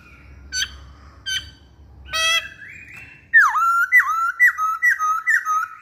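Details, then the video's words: Masked laughingthrush in active song: several short harsh notes, then a smoothly rising whistle, followed by a loud series of swooping whistled notes that dip and level off, repeated about twice per second. "Burung Poksay Hongkong Gacor"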